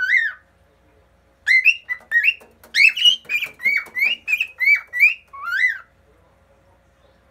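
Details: Pet cockatiel singing while perched on a fridge, a second cockatiel nearby: an opening whistle, a pause, then a run of clear rising and slurred whistled notes about two per second, mixed with soft clicks.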